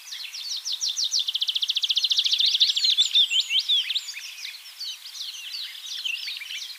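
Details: Tree Pipit singing in Bakkum, the Netherlands, 2023: a rapid run of identical sharp high notes accelerating into a fast trill, then breaking into looser, varied chirps and slurred whistles fading toward the end.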